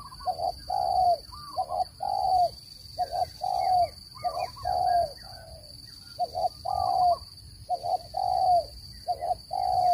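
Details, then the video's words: Spotted dove call for trapping birds, repeated steadily: phrases of short coos ending in a long falling coo, roughly 44 notes a minute, with faint higher chirps from other birds and a steady electronic hum. "Tiếng chim cu gáy dùng để bẫy chim,giọng chuẩn không tạp âm"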